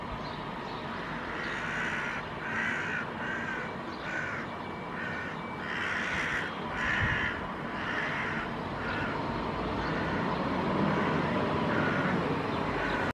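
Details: A pair of Hooded Crows calls near a big, gentle dog, protecting a fledgling that has left the nest but cannot yet fly. They give harsh, hoarse caws in short runs, several per second, over a constant broadband rushing background noise.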